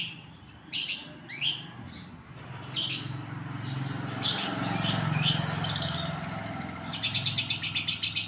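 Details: Long-tailed shrike song used to lure other birds, with scattered high chirps and short downslurred notes, then a fast trilled burst at the end, over a low steady hum.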